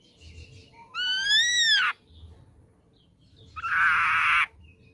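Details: Young wild-caught ashy drongo: a rich arching whistle followed after a pause by a harsh, buzzy, noisy note of similar length.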